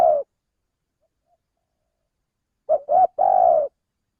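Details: Male spotted dove calling as a bird-trapping lure: the tail of a long coo, a pause of over two seconds, then a full phrase of two short coos and one long mellow coo.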